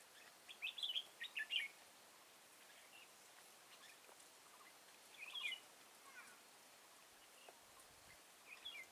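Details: Red-whiskered bulbul fighting song at a trapping site with a caged decoy, Kim Bôi, Hòa Bình, Vietnam, 6 April 2017: a rapid run of five bright chirped notes, then two shorter warbled phrases after pauses, with steady background hiss.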